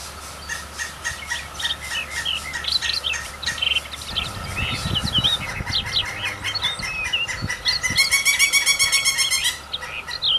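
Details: Nestling woodpeckers being fed by adults: dense, excited high chirping, building into a rapid chattering burst of ringing notes toward the end. Pulsing insect buzz, a steady hum and some low rustling knocks in the background.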